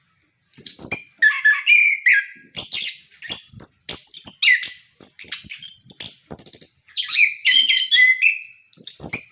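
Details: Orange-headed thrush singing a long varied sequence, used as a prompt for caged birds: scratchy chatter mixed with high whistles and clicks, phrases spaced by very short gaps.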